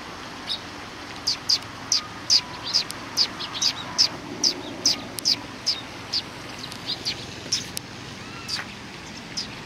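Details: Sparrows perched on a bench at a Tenmangu shrine in Japan, recorded 30 January 2020: short, high chirps repeated roughly twice a second, fairly regular, over a steady outdoor background hiss.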